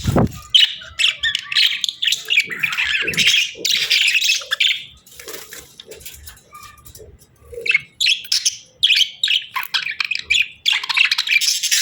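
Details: Pet budgies chirping: dense, fast chattering warble of high scratchy notes, broken by a short quieter lull near the middle before the busy chatter resumes.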